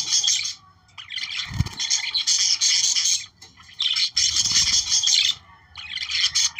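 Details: Several budgerigars warbling to trigger breeding activity, bursts of shrill chattering and squeaky twitters separated by short quiet gaps, with two low thuds in the background.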